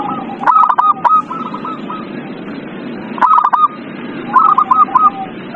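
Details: Lure recording to prompt a reluctant zebra dove to sing: a rapid run of soft, rolling coo notes, then two shorter stuttered bursts after pauses, with constant low hiss behind.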